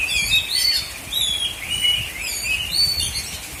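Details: Oriental magpie-robin (kacer) singing at a bird contest in South Aceh, Indonesia, with loud varied whistles, upward and downward slurs, and short trills in rapid succession.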